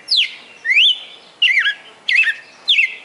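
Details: Captive red-cowled cardinal from Fortaleza, Ceará, Brazil, with a celebrated song of more than twenty notes; five rich whistled phrases, falling, rising and wavering, delivered at a steady pace of roughly one every 0.6 seconds.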